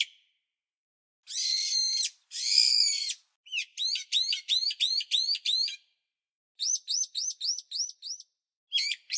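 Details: Bulbul cries open with two rough, buzzy rasps, followed by quick series of thin upslurred chirps, several per second, in bursts separated by brief silences. No background noise.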